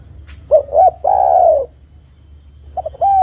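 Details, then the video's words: Spotted dove lure, with two short coos leading into one long, level then falling coo, and the next phrase starting after a pause. "PANCINGAN TEKUKUR AGAR BUNYI dalam 1 menit"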